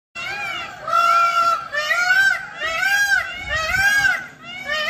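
A peacock gives loud, nasal, wailing calls, each a rising-then-falling cry, about one per second in a steady series of four or five.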